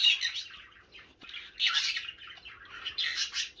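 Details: Chatty baby green-cheeked conure kept as a pet gives rasping, squawky mimicked phrases in three loud bursts about a second apart, as a woman asks if it is thirsty and ready for a bath.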